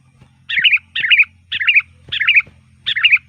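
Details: Sooty-headed bulbul in loud, varied full song, used as a lure to call bulbuls: five short bubbly whistled phrases, each rising and falling, about every half second, over a faint low hum.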